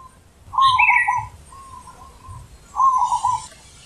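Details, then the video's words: A zebra dove (perkutut) with a very deep, large "ulem" voice sings soft, rolling, purring coos in three phrases over four seconds, the last louder, with faint high chirping behind. "Perkutut Manggung ULEM Super BESAR"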